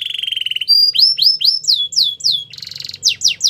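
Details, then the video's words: Canary singing a training song: a steady high trill, then a row of clear falling slurred whistles, a short buzzy burst and more downward slurs, all high and loud. "The most popular canary training | Play now, your canary will sing a lot"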